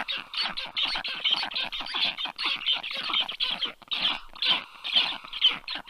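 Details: At the nest in early July 2022, young black storks give rapid, wheezy, rasping calls, roughly two per second, overlapping continuously after a strange adult lands above them in the early afternoon.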